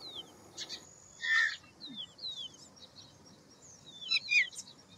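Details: A citrine wagtail (Motacilla citreola) foraging in fields gives a harsh, buzzy call note, mixed with thin high chirps and short falling whistles from other small birds over a soft background hiss.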